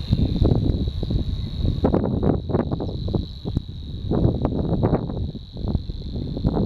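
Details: A Savi's warbler at Frossay, Loire-Atlantique, France, in April 2015 reels without a break: a fast, even, buzzing trill held on one pitch, over heavy low rumbling wind noise.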